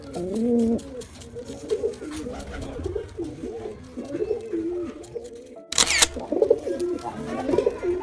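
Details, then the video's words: Low, throaty cooing from male and female pigeons, a steady series of wavering phrases broken near the end by a single sharp knock. "Male & Female Pigeon Combo Attract Sound"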